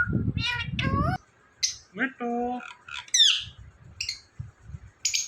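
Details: Indian ringneck parrot giving a run of harmonic squawks and short bright chirps, some falling in pitch, others sharp and high, separated by brief pauses, with faint low rumbling in the background.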